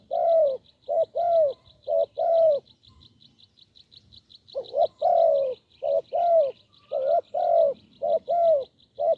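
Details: Deep-voiced wild spotted dove cooing in a paired decoy-calling setting: low, hollow coos grouped in phrases of four or five, a pause near three seconds, then another long phrase; a steady high ticking runs throughout behind them.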